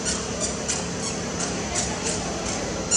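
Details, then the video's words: A superb starling sings and preens in Kuala Lumpur on 17 August 2024, giving a rambling run of short, scratchy squeaks and chatters, several each second, over a steady low mechanical hum. "Superb Starling - singing"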